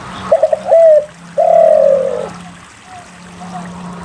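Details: Spotted dove singing steadily, used as a lure to get reluctant doves to sing: a few quick stuttering coos, then a held coo and a longer, steady hooting coo, low and mellow.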